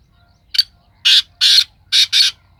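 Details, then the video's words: Black francolin in Sindh, Pakistan, calling: five harsh, grating, loud notes, one short note followed by two longer ones, then a quick pair, on a quiet background. "Kala Teeter"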